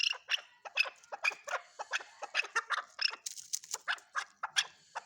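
Chukar partridge giving a fast, harsh run of chuck notes, about four a second, steady and insistent, with no other sounds.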